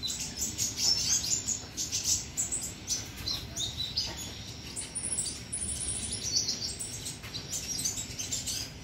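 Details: Olive-backed sunbird, called konin or kolibri ninja, singing actively: thin, high chirps and short twittering notes come rapidly and irregularly throughout, over a steady, hissing background of low rumble.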